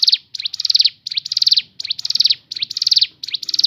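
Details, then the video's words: Crescent-chested babbler (ciblek gunung), natural song meant to prompt other birds to sing: high buzzy trilled phrases, each opening with a rising upslurred note then a fast rattling chatter, repeated roughly every second with short gaps. "BUNYI FARIASI CIBLEK GUNUNG SUARA ASLI ALAM..!! cocok untuk memancing bunyi ciblek gunung bahan"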